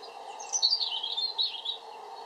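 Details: European robin delivering a continuous liquid warble of shifting high notes, sweeping up and down with little trills, over a steady low mechanical hum.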